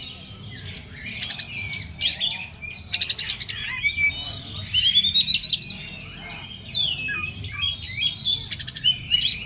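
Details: Oriental magpie-robin singing in an agitated style, a fast stream of scratchy chatter broken by long, clear, rising whistles.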